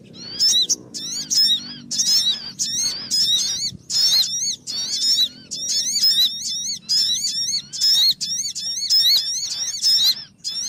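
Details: Lure sound for catching the sogon bird: a rapid series of sharp, rasping, upward-flicking high notes in dense repeated bursts, near-continuous for about ten seconds.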